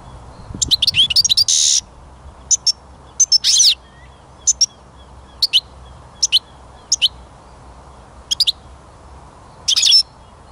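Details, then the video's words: European goldfinch giving a buzzy twittering phrase followed by scattered single high chirps spaced about a second apart, with a brief low rustle at the start. "Пение Щегла"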